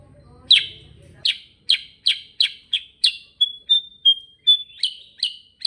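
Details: Sooty-headed bulbul singing in the continuous rolling gacor ngerol style: a run of sharp, high chirps about three per second, broken by a few thin, level whistled notes before the chirps resume; a low hum at the very start.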